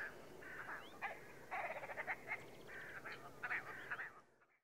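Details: Willow ptarmigan, recorded in Lithuania, giving harsh, nasal, croaking calls that break into a rapid stuttering rattle, then trail off, over faint background hiss.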